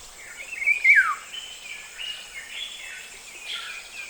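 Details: African Golden Oriole (Oriolus auratus) song: a quick fluty phrase of clear whistles dropping in pitch, then fainter liquid notes, over a steady high insect hiss.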